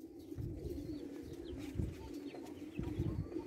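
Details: Tabrizi Agharan pigeons, an Iranian breed, giving low, continuous cooing as a steady murmuring hum, with deeper throaty pulses swelling in and out over a few seconds.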